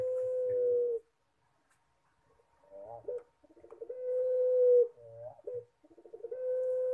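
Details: Puter, or collared dove, singing pelung-style: long steady tonal coos, each held close to a second, broken by shorter stuttering rising notes, in repeated phrases with brief pauses between.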